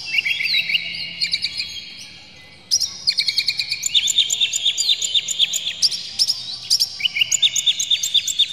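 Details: Oriental magpie-robin in an excited state, tail spread, in full song meant to provoke other magpie-robins to sing. Clear whistled notes and slurs, then a long, fast run of high ticking notes mixed with whistles.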